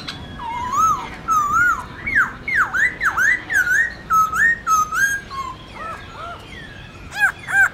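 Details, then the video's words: Forest-voice song of a Black-throated laughingthrush for training young birds: a steady run of swooping V-shaped and rising whistles, ending with a few loud ringing looped notes. "Luyện khướu bạc má hót giọng rừng/Luyện khướu non học giọng rừng cực chuẩn"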